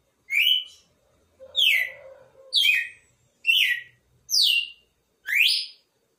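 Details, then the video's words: Red-cowled cardinal song of six loud downslurred whistled notes at near one-second intervals, the last phrase rising then falling, with a faint low murmur during the second note. "Galo de campina expectativa na cantoria"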